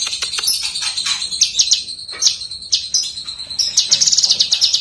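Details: Lesser green leafbird song used as master recording for training songbirds: varied high chattering and squeaky notes, ending in a quick high trill.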